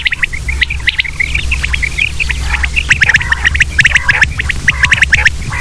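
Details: Common quail (batair) calls: a busy stream of sharp, squawky short notes, becoming denser and louder toward the end, with a low continuous hum.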